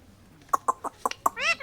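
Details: Talking ringneck parrot gives five rapid clipped syllables, then a drawn-out, rising and falling nasal sound at the end.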